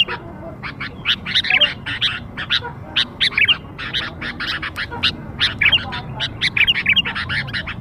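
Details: Young sooty-headed bulbul sounds used as a lure to attract birds: dense, rapid series of harsh, squawky chattering notes, repeated almost without pause, over a low rumbling background hum.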